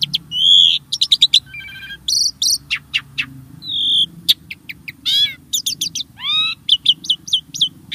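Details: Starling song used as a lure to prompt caged birds to sing: a varied run of high whistles, sharp clicks and downward-sweeping notes, with short bursts and pauses, over a faint low hum.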